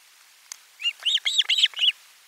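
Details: Osprey at its nest during a lunchtime fish delivery, 12 July 2022, on a live nest camera: a quick run of six or so arched, whistled chirps, bright and slightly rising then falling, over a quiet background.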